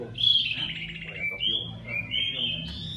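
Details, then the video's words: Iora song, intended to excite wild birds: a quick sequence of clear slurred whistles, some falling and some rising, linked into a flowing phrase of about three seconds, with a low hum beneath. "นกขมิ้นน้อยสายหัวดำ เสียงร้องอันไพเราะ"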